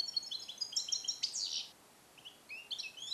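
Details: Captive-bred 2021 European goldfinch trained in Neapolitan passata song, recorded in a small cage: tumbling high twitters and a buzzy sweep, a brief pause, then rising chirps, over a light background hiss.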